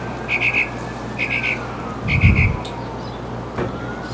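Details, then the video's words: Mockingbird delivering a bright three-note phrase, repeated in near-identical groups of three with short pauses between; a low thump and muffled rumble intrude partway through, over constant hum. "Mockingbird in Concert!"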